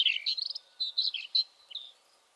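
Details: A rufous-tailed scrub robin calls with a quick run of high, sweet chirps and short warbled notes over about two seconds, against a quiet background.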